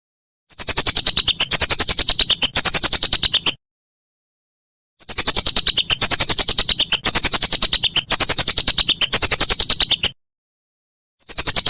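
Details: Whistling duck, recorded for training songbirds, giving bursts of quick pulsed notes overlaid with high descending whistles, a few seconds each, broken by abrupt silences.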